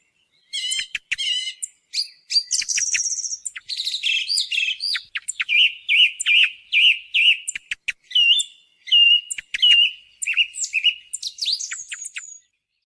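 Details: Continuous song of a song thrush, recorded as a lure for hunting: fast runs of sharp high notes, a buzzy rattle, then clear whistled phrases repeated over and over at roughly one per second, ending in a rising squeak.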